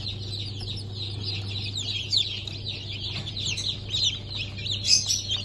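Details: New-hatched Sultan, Türken, Australorp and Sussex chicks, dated 23 March 2024, fill the air with bright high-pitched peeps, several louder cheeps rising out near the end, over a faint low hum.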